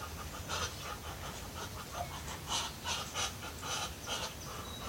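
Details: Muscovy ducks, with ducklings, coming in for breakfast in the morning give soft, breathy panting hisses, the typical Muscovy noise, repeated roughly every half second, with light background rustling.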